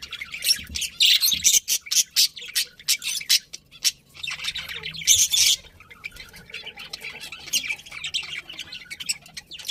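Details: Budgies give rapid, scratchy chirps in quick pulsed bursts, loud clusters around two and five seconds, then softer continuous twittering to the end.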